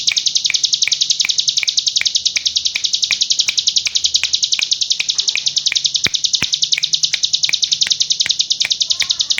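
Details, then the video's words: Hill prinia delivering a full 'ngebren' song, likened to AK47 fire: a steady, relentless high-pitched trill of rapid staccato notes held throughout, even in loudness, with faint low background rumble. "Tembakan AK47 Cigun Gacor Full Ngebren"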